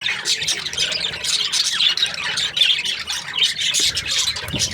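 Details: Budgerigars in breeding pairs, described as happy, chirping together: dense overlapping chatter of warbling, squawky chirps and short notes, continuous throughout with several birds calling at once.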